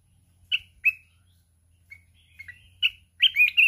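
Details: Contest singing from a mountain red-whiskered bulbul with a 'kít bổi' wild voice, flapping its wings continuously. Two clipped whistled notes open, soft chirps follow, then a rapid, rich warbling phrase closes.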